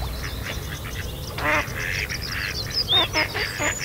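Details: Female Mallard calling at Kirriemuir RSPB during rough mating, a second male attacking the mating drake: a loud harsh quack, then two more quacks in quick succession, with busy high chattering from other birds throughout.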